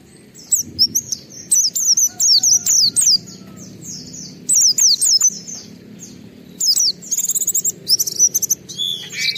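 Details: Oriental white-eye song for provoking other white-eyes: clusters of high twittering notes in quick bursts with short silences between, closing in dense shrill trills.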